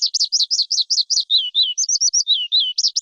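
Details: Lark kept as a cage bird, singing a fast run of high, clear chirping notes, repeated about every tenth of a second, shifting into lower slurred phrases midway before returning to the quick series.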